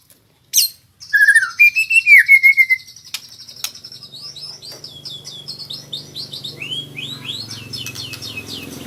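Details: White-rumped shama learning to sing, working on rolling trills (ngerol): a loud, wavering whistled phrase, then a long series of soft, high, rapidly repeated sweeping trill notes that fade gradually.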